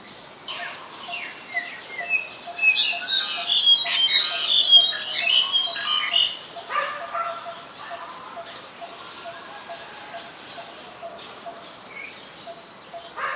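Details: Black-collared starling from Ubon Ratchathani, Thailand, 2 January 2020: a run of loud, scratchy squawks and whistles early on, then softer chatter, over a steady faint ticking note repeated in the background.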